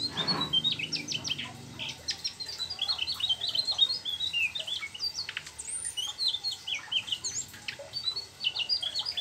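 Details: Mugimaki flycatcher singing steadily with imitated trucuk phrases: a dense run of high, quick chirps and looping whistled notes. A brief low thump sounds at the start.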